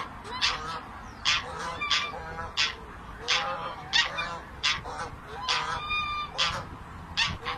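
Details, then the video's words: Geese honk in loud, nasal, harsh bursts, roughly one to two per second, with several birds overlapping in an irregular chorus. "gerçek kaz sesi"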